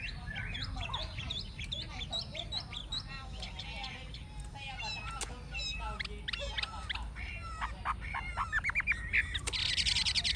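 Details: Old, wild-caught Chinese hwamei, kept captive, with a true forest voice sings a rich, rapid stream of varied whistles, slurs and trills, phrases tumbling one after another over a steady low background rumble.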